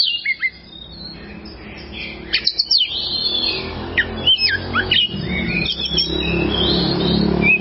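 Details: Oriental magpie-robin (kacer) song used as training material for songbirds: scattered sharp whistled slurs and rapid notes over a low background rumble.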